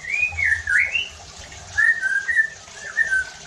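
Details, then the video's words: White-rumped shama song played to stir other shamas to sing harshly: a long, wavering, rising-and-falling whistle followed by shorter slurred whistled phrases, over a low background hum. "PANCINGAN EFEKTIF JADIKAN MURAI BATU NEMBAK KASARR UNTUK MENINGKATKAN EMOSI DAN BONGKAR ISIAN"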